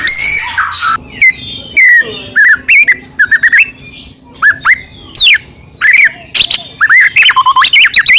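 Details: White-rumped shama singing a loud, varied string of whistled phrases: clear rising and falling whistles, sharp slurred notes and rapid trills, broken by short pauses, used to provoke other shamas into singing.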